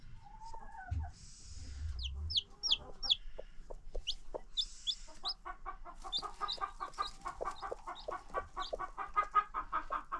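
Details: Farm chickens kept free range with newly hatched baby chicks: sharp descending chick peeps at first, then a steady run of rapid, harmonic hen clucks, about two or three per second, with some scuffling.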